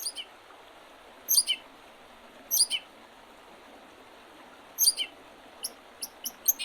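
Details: Spring birdsong recorded on 8 April 2023 along the Oredezh River, Leningrad Oblast, Russia: high sharp double chirps with falling tails, repeated at irregular intervals, ending in a quicker run of thin clicks, with soft steady hiss behind.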